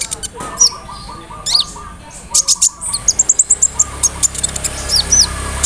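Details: Sunbird (kolibri ninja, konin) rolling song with fill-ins of cricket, cililin, sparrow and cerr sounds, meant to get a bird singing: sharp high chirps over a low steady tone, then a fast regular string of ticking notes and slurred whistles.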